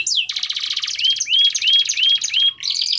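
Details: Canary song used as a lesson for young birds learning to sing: loud, fast rolling trills, then a run of five sharp upslurred whistles, ending in a buzzy high trill, with a clean, quiet background.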